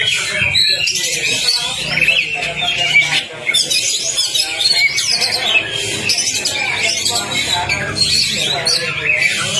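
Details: Oriental magpie-robin (kacer) in a fast lure-song recording meant to get silent birds singing: dense, rapid, high whistled and chattering phrases, varied and continuous, with a low thumping background and some voice-like sounds.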